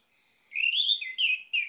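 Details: Orange-headed thrush song: a soft thin lead-in, then a loud rich whistled phrase rising and falling in slurred notes, followed by two shorter downward-slurred whistles.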